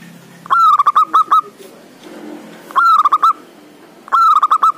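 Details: Male local zebra dove (perkutut, merbuk) with a loud voice, calling to a rival; played as a lure to prompt quiet doves to sing. Three rolling cooing phrases, each a short upslurred note followed by rapid stuttering coos, roughly every 1.7 seconds.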